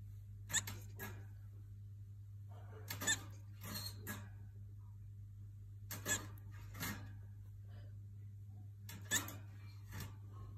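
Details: Cockatiel playing hide and seek with its owner gives harsh, shrill calls in short pairs every few seconds over a steady indoor hum.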